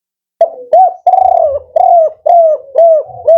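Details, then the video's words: Male spotted dove performing the rhythmic 'Kuk 4' song, a steady series of deep, hollow, slightly falling coos, each about half a second long, repeated with hardly a break. "Tekukur Kuk 4 Jantan"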